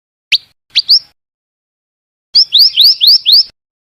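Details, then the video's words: Two or three short sharp notes from a female scarlet minivet, then after a pause a series of five upward-sweeping thin whistles in steady rhythm. "suara burung bara api bertina"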